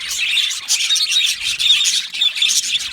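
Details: Yellow male budgerigars chirping together in an aviary, high squawky chatter and bright whistled notes in loose bursts without silence.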